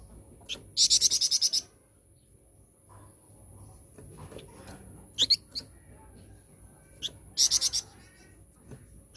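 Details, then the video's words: Lure song of a flowerpecker, meant to set other birds singing: two fast trills of high, sharp repeated notes several seconds apart, with scattered single chips and faint rustling in between. "Pancingan Burung Flamboyan Mana saja"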